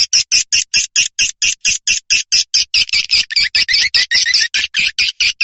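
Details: Swiftlet call sound used as a lure, New Year 2023 edition: short buzzy twittering chirps repeated steadily, about two per second, growing slightly denser and more rasping toward the end.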